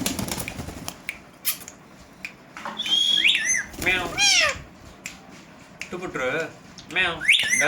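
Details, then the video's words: Indian green ringneck parakeets, a family kept together as pets, talking in front of a mirror: squawky, speech-like phrases and sharp rising whistled notes in short bursts, with quieter chatter and household noise between them. "Talking Ringnecks Family Together // Parrots Talking In Mirror"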